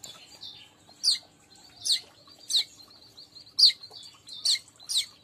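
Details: Weaver song used as a lure for catching weaver birds: sharp high chirps repeated roughly every second over a faint, steady high twittering background.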